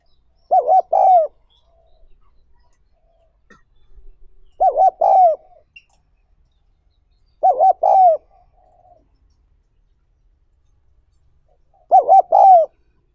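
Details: Spotted dove cooing, recorded for use in training wild-caught doves. Four similar phrases about every three to four seconds, each a quick wavering hoot into a drawn-out falling coo, with silence between.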